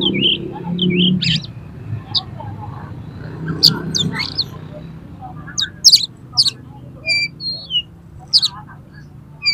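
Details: Oriental magpie-robin in fighting mood, singing to provoke other birds: opening muffled noise, then bursts of sharp high chips, short whistles and buzzy notes spaced every second or so.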